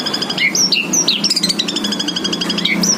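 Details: White-rumped shama singing energetically: clear whistled notes, quick slurred sweeps and rapid chirps in varied phrases, set against a steady low background rumble.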